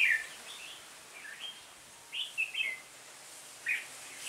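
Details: Red-whiskered bulbul acting as the flock leader in a trap, 26 November 2017, Vietnam; spaced bursts of sharp whistled chirps, a few slurred notes each, separated by brief pauses over faint background hiss.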